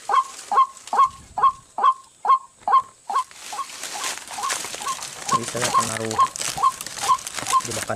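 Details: A White-breasted waterhen near rice fields and swamp repeats a loud, even, honking note about twice a second, used as a decoy male call to lure and challenge wild rivals into a trap; a man talks over the second half.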